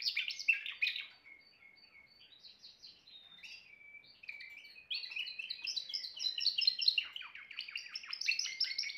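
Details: Timbrado canary song starting with loud chirps, then softer drawn-out whistled notes and short buzzy pieces, before bursting into fast, loud rolling trills for the final seconds.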